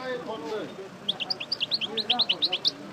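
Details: Goldfinch, parva race, after its moult taking up the song again: a low murmur of human voice at first, then a quick string of clear, high, bouncing chirps in a regular tinkling series.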